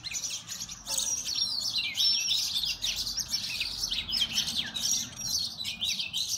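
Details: Oriental magpie-robins recorded with a mobile phone during a fight, giving a busy run of shrill chirps, squeaky rising and falling whistles and harsh twittering, continuous and excited, over faint low rumble.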